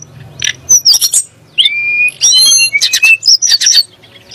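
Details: Sunda blue robin singing, a song said to make magpie-robins and shamas agitated: sharp clicks, then a sustained rising whistle, a rich overlapping warble and bright high chirps.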